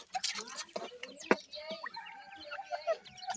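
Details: Male and female partridges with their 25-day-old chicks during feeding. Short soft clucks mix with thin, brief chirps, repeated irregularly, and a few sharp clicks in between.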